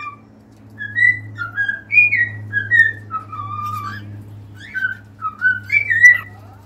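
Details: Cockatiels singing: a string of clear, sliding whistled notes that rise and fall in short phrases, with brief pauses between bursts, over a steady low electrical hum.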